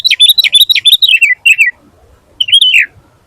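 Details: Sooty-headed bulbul (kutilang) singing gacor, full isian: a rapid burst of bubbly descending whistled notes, a gap of silence, then one longer rising-and-falling whistled phrase.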